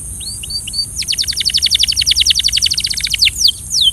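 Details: Belgian canary singing for training: a few high whistled upslurs, then a fast rolling trill of rapid downslurred notes at a steady pace, ending in a couple of sweeping whistles.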